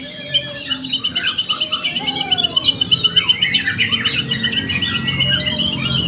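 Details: Young white-rumped shama at an Indonesian bird-singing contest delivers a fast run of bright, evenly pulsed whistled notes, about four per second, mixed with sweeping slurs, over soft background music.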